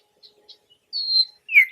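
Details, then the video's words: Nightingale singing: a few soft chips, then a sustained high clear whistle held for about a third of a second and a brighter, falling whistled note at the end. "Nightingale bird singing"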